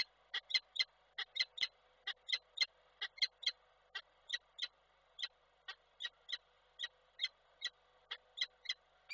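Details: Male peregrine falcon calling to the female on 12 December 2023 in Koszalin, Poland, recorded by a nest webcam; he flew off when she arrived. Sharp, piercing harmonic notes in a rapid series, about two or three per second.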